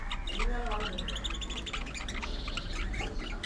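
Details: Aviary colony of budgerigars giving a dense, continuous warble of quick squawky chirps and buzzy notes from several birds at once, over a low hum.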